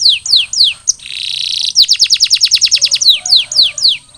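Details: Molt-recovering canary: descending whistled notes, a dense hissing burst, then a quick row of sharp chips, ending with slower sweeping whistles again.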